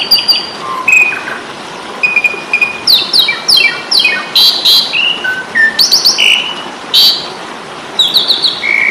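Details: Fighting song of an Asian pied starling used to tutor caged birds: a varied run of clear whistled notes, some sliding down, with bursts of harsh buzzy chatter in the middle and short high whistles near the end.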